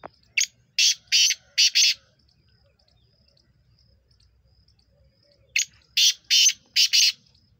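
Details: Black francolin recorded on 23 September 2023 gives two harsh, grating calls about five seconds apart. Each is a burst of five rasping notes: a short clipped opener followed by longer buzzy syllables in pairs. Quiet background between the calls.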